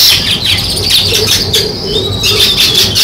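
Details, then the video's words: High sparrow chirps overlap constantly, with a soft lower wavering call repeating underneath and a thin whistled line late on. "Sparrow Chirping Sounds | Natural Sparrow Sound"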